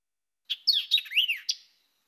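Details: White-eyed Vireo song at Springbrook Prairie, DuPage County, a species of woodland edges, thickets and heavy undergrowth singing from low perches: a quick, emphatic phrase of sharp chips, slurred whistles and a rising-falling warble, about a second long, ending crisply.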